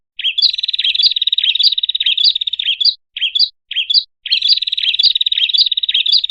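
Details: Prinia (prenjak kepala merah) lure call for attracting small birds: a loud, rapid, buzzy trill of high chirping notes, running almost continuously with two brief breaks, clean and free of background sound.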